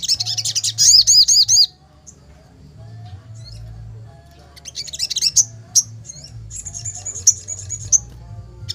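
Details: Worked-up sogon, wings lowered and fluttering, gives a quick run of wavy, warbling whistles, falls quiet, then returns with scattered chips and a sustained high thin whistle broken by sharp accents.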